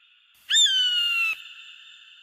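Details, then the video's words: Eagle giving one strong scream of nearly a second, a harsh note that slides slightly downward and stops abruptly, followed by faint ringing. "Âm thanh đại bàng || The sound and picture of the Eagle"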